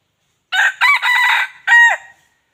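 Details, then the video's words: Loud cock-a-doodle-doo of a wild junglefowl rooster used as a lure for wild fowl: four harsh segments, two short opening notes, a long steady middle stretch and a falling closing note, all in quiet surroundings. "suab qaib qus zoo dib qaib tuaj zoo heev"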